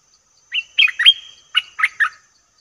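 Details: Bulbul lure call for wild birds: a handful of bright, slurred notes, the first few joined by a drawn-out thin tone, then three separate quick chirps.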